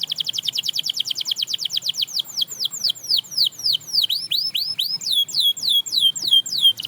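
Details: Canary singing so that others join in: a fast, regular run of falling high notes that slows into deeper, swooping whistles, then quickens again, clear and loud.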